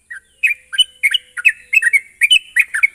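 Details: Lure recording of sooty-headed bulbul song meant to prompt a bird into continuous singing: quick, bright, slurred notes rising and falling, delivered in rapid bursts about three per second.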